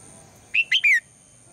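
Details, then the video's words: A female red-whiskered bulbul calls in the morning to urge the male into song, giving one crisp three-note whistled phrase whose final note glides down, with faint low background hum. "นกหัวจุก birds - นกตัวเมียร้องตอนเช้าเพื่อเรียกนกตัวผู้ให้ร้องเสียงดังฟังชัด"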